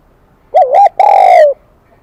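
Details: Spotted dove, a wild-caught bird with the bright 'kim đồng' (high metallic) voice, gives one phrase: a quick warbled two-part coo, then a sustained coo sliding gently downward, with no other sounds.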